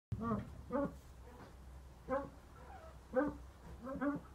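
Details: A White Eared Pheasant at a pheasant breeding nursery gives five hoarse, nasal, rising-and-falling calls at uneven intervals over four seconds, with a steady low rumble underneath.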